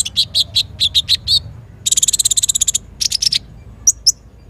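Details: Brown-throated sunbird, kept bird, in vigorous full song with rapid bursts; a run of six sharp high chirps, then a fast buzzy trill of even pulses, a few clipped notes, and two thin high squeaks.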